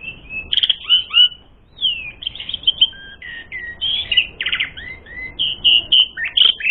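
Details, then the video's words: Asian pied starling delivering a lively song used to provoke fighting; a tumbling mix of clear whistles, short downslurred notes and chirpy trills with scattered clicks. "Masteran Suara Burung Jalak Suren Gacor Full Isian Mewah Jadikan Suara Pancingan Jalak Suren Tarung"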